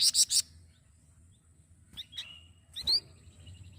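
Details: Flamboyan masteran song for teaching other songbirds: three rapid loud high buzzy notes, then sharp chirps and a brief upward-swept whistle, against a quiet low hum.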